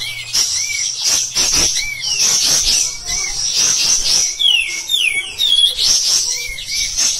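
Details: White-shouldered triller kept as a master bird for training other birds, singing loud, high, chattering phrases mixed with short whistled upslurs and downslurs that repeat at irregular intervals.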